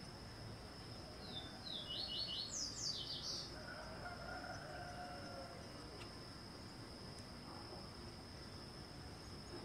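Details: White-spotted woodpecker in Brazilian tropical forest, feeding on a larva: a single quick burst of about a dozen sharp, high notes, rising in pitch and lasting just over a second, over a steady high insect drone and low background rumble.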